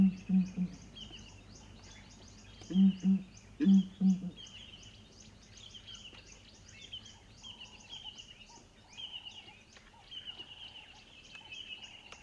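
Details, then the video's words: A family group of Southern Ground Hornbills (one male, one immature, two females) calls from its nest tree, a giant sycamore fig: deep, muffled booms in short bursts of three or four low hoots, repeated a few times, with small birds chirping behind. "Southern Ground Hornbills calling"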